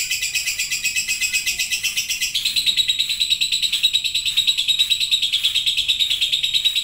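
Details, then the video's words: Lovebird chattering in the long ngekek style: a high, buzzy rolling trill that shifts to a slightly lower, stronger band partway through and continues unbroken to the end. "LOVEBIRD NGETIK LANJUT NGEKEK PANJANG"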